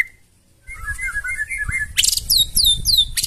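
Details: Loud White-rumped shama song intended to set off other birds, starting with a short whistle, then warbled phrases, harsh bursts and quickly repeated high downslurred notes.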